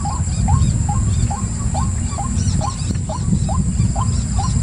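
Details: White-breasted waterhen repeating clear, nasal, upward-hooked notes at an even pace of about two to three per second, with a steady deep rumbling noise underneath.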